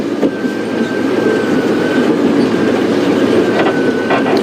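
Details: A steady vehicle rumble with a thin, even whine and a few brief knocks, with no animal calls heard.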